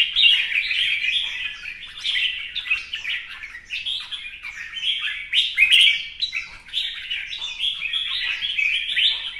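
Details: Duel song of a red-whiskered bulbul performing a fanning display, a nonstop torrent of lively whistled and chattering phrases, loud and bright, with scarcely a break across the whole stretch.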